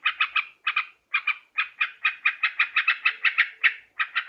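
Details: Sooty-headed bulbul, a Borneo recording used to lure birds: short clusters of two or three buzzy notes, then a quicker, steady chattering series.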